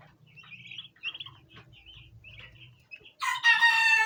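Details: Bronze turkey poults, domestic birds gathered at a plant basin and trying to eat, give thin, high chirps in short bursts for about three seconds before a loud, harsh, harmonic call cuts in and dominates.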